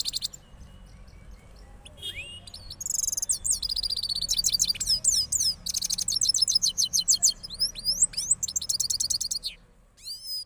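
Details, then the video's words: Cross goldfinch from Parachinar singing rolling songs after moulting: rapid high twittering phrases and buzzy trills, with sweeping upward whistles near the end, over a faint low hum. "Cross Gold Finch Part 3 After Moulting Rolling Songs"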